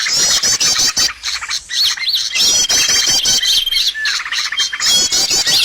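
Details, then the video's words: Lure recording of birdsong for trapping birds: busy high-pitched chattering trills in bursts, with short gaps, steady thin whistles and a few slurred notes dipping downward. "SUARA PIKAT BURUNG"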